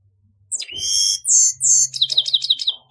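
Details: Grey-headed goldfinch song fragment: a long rising whistle, then harsh buzzy notes and a quick series of descending chirps, over a soft low hum.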